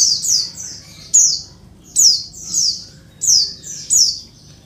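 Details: Calls of a female Oriental white-eye, used to stir lazy males into answering and singing: sharp, high downslurred notes, often doubled, repeated roughly every second.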